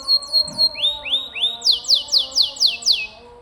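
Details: Energetic 'gacor' canary singing as tutor material for pet birds: high repeated downward slurs, then three lower swooping whistles, then a series of loud, sharply falling sweeps at an even pace.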